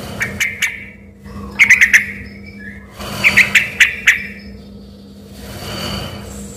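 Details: Sooty-headed bulbul singing in short groups of crisp whistled notes, some slurring downward, separated by pauses, with a faint hiss and low hum behind.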